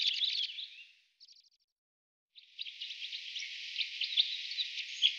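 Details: A white-winged (two-barred) crossbill, recorded from a bird hide in Emmen, gives a high, dry chattering trill that fades, returns as a brief burst after a pause, then runs on as a long rattling stream.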